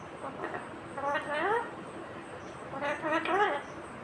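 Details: Ringneck parakeet mimicking speech in two soft, harmonic phrases, each ending in a rising inflection, separated by a quiet pause.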